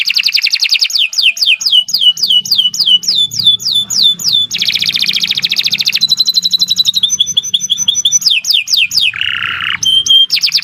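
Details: Canary in long gacor song. Rapid runs of sharp downslurred notes repeat several times a second, broken by dense buzzy rattles and lower harsh passages. The singing goes on nonstop, with a faint low hum beneath.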